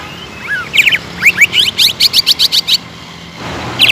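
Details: Greater green leafbird singing in full voice, used to provoke other leafbirds into aggressive singing: a brief downslurred note, then a rapid run of about ten sharp, chirped notes, each slurring upward, ending in a pause and a faint hiss.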